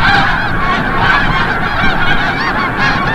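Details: Snow geese returning at sunset to Forsythe National Wildlife Refuge, New Jersey, giving a steady wall of overlapping honks over a low rumbling background, possibly wind.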